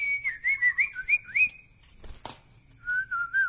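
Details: White-rumped shama of the Medan Bahorok type: clear whistled notes near a steady pitch with wavering, looping inflections, a brief pause broken by a sharp click, then another run of wavy whistles.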